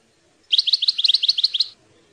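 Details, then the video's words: Tutoring song of the European goldfinch for young birds: a neat series of about a dozen quick, bright, paired chirps repeated evenly over a little more than a second. "chant maknin pour écolage jeune chardonneret"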